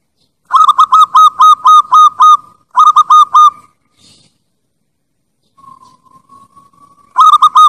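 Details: Zebra dove lure call from Java: clear ringing notes near one pitch with rich overtones, delivered in quick bursts of about seven notes, a pause, then another burst, with a faint drawn-out tone between; otherwise quiet.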